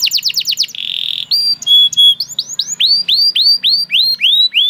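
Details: A canary, described as singing once it hears another canary, gives a quick trill, a buzzy tone, clear whistles, then a row of rising, swooping whistled notes repeated about twice a second.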